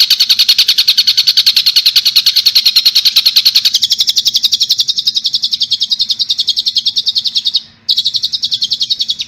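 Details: A long-tailed shrike on a training recording, singing full harsh "tembakan" phrases in styles named gereja tarung, tengkek buto and kunti. A fast, even run of high, buzzy repeated notes, about three per second, breaks briefly near the end.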